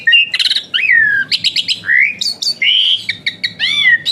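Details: Asian pied starling in full whistling song, meant to stir lazy cage birds into singing: loud sliding whistles, clipped chattering notes and rasping phrases delivered in quick succession.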